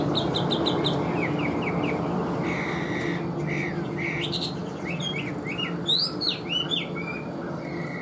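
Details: A captive pet Chinese hwamei standing out in the sun sings a quick, varied string of clear whistled and slurred notes, some rising and falling, over a steady low background rumble, with music in the background.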